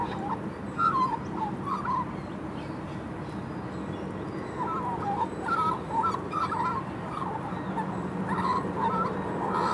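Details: A juvenile female magpie, said to be very happy, gives a soft, wandering warble of short mid-pitched squiggly phrases over nearly ten seconds, against a steady low rushing background noise.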